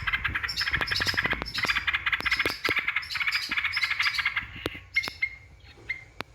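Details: Yellow-vented bulbul song played as a lure to provoke rival birds: busy, bubbling chattering phrases mixed with sharp chips and a few clear whistled notes near the end.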